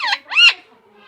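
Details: A pet parrot imitating the words mummy and papa: two short, harmonic, nasal syllables. The first is level and the second rises and then falls, with quiet low hum behind.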